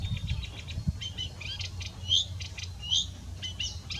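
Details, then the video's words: Eurasian reed warbler singing at Zellsee, Landkreis Weilheim, Germany: a steady, chattering run of grating, clicking notes, each repeated a few times, with a few higher whistled notes over a low background rumble. "Teichrohrsänger Gesang"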